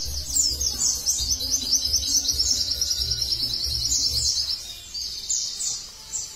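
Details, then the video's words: White-eye (pleci) singing in the rapid-fire tembakan style used as tutor material: dense, high chirping phrases of quick descending twitters repeated for about five seconds, with a low rumbling hum underneath. "MASTERAN TEMBAKAN BURUNG PLECI"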